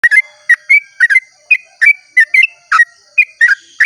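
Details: Sooty-headed bulbul singing a long song at dawn, used to lure other bulbuls into singing: short bubbly whistled phrases around mid pitch, about nine notes in quick, uneven succession, clean background.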